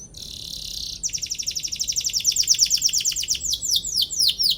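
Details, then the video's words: Canary song for provoking rivals: a buzzy sustained note, then a long rapid trill of high chirps that slows into separate down-swept notes, loud and continuous. "KENARI GACOR PANJANG CUIT CUIT PANCING EMOSI LAWAN BIKIN NYAUT DAN GACOR |° CANARY SINGING"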